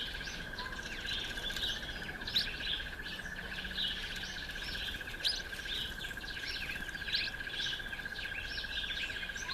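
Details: A streaky-headed seedeater (streaky-headed canary) feeding on sunflower seeds gives a busy stream of brief, high twittering chirps with a few louder accents, while a constant cricket-like trill drones beneath the whole time.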